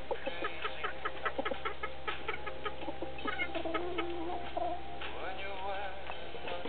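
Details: A rooster leads young hens to a laying spot, uttering rapid, dense clucks and chuckling notes that overlap in quick succession, with a few longer tonal calls mixed in.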